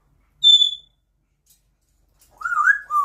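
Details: Indoor pet African grey parrot imitating a dishwasher's beep very loudly: a clean, flat, high-pitched electronic beep, silence, then a warbling whistle that climbs and ends on a steady lower whistled note.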